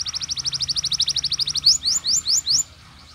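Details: Canary ngerol and tembakan song, a pancingan meant to make listening canaries sing: a rapid, even trill of short high notes for about one and a half seconds, then four louder upslurred whistles.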